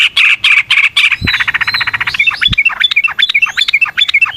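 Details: Yellow-vented bulbul, a long 'ropel panjang' lure song. Loud harsh chattering gives way to a fast rattling run and then a stream of bubbly slurred chirps. Two sharp knocks are heard.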